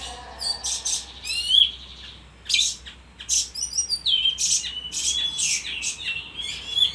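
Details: Bayeman singing nonstop: bright high-pitched phrases of chirps, thin whistles and rattling trills delivered in quick succession.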